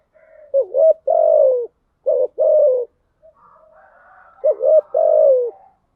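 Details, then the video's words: Lure calling of a spotted dove meant to attract doves, 'thúc gù' and 'gáy gọi' styles: three bursts of soft hooting, short doubled notes then a long falling coo, with a quieter second dove cooing in between. "Tiếng chim cu gáy mồi giọng lôi cuốn hấp dẫn đủ bài[ THÚC GÙ , GÁY GỌI ]"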